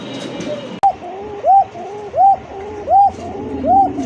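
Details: Pigeons kept on a farm at Kashimpur, Gazipur, near Dhaka, Bangladesh. Arched, tonal calls repeat about every three-quarters of a second over lower, softer cooing, after a sharp click.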